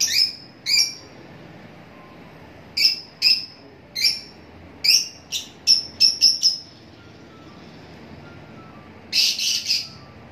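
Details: Sharp high-pitched lovebird chirps, some single and some in quick clusters of three or four, ending with a short harsh burst of chatter.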